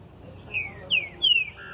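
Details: A captive green-winged saltator, a singing bird sings three loud, clear whistled notes, each slurring downward, about every third of a second, then a lower sustained note; faint background hum.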